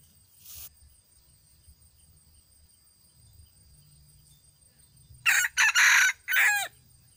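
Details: Red junglefowl crowing, described as crowing very well; one loud harsh crow in several segments ending with a drawn-out falling tail, after a short earlier burst, steady high electrical whine behind.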